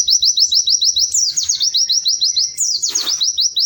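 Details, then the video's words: A pleci (white-eye) gives rapid high rising whistles with two sharp downward swoops, the second accompanied by a short rustling flutter, while the lively melodious series runs throughout. "Kicau Burung PLECI GACOR MERDU"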